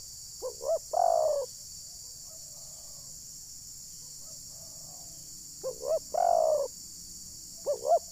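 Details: Spotted dove used as a decoy for trapping wild doves at Desa Satu Ujung Batu, Rokan Hulu; its call said to anger wild birds. Two short hollow notes, then a longer falling coo, phrase repeated twice over steady background hiss.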